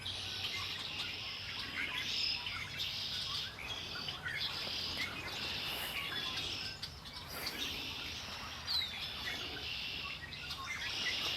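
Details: Wild birds singing by Lake Erie: a dense chorus of high chirps and trills in repeated bursts about every second, with steady low background noise.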